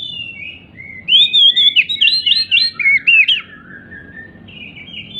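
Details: Agitated, hopping Oriental magpie-robin (kacer) singing to coax silent birds into song: a rich burst of looping whistled notes and quick slurred trills lasting about two seconds, then softer thin whistles over faint low rumble.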